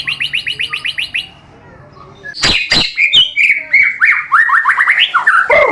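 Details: White-rumped shama competition song variation, a training recording: a short run of quick chirps, a pause, two loud sharp clicks, then a rich, varied phrase of rising and falling whistles and buzzy notes.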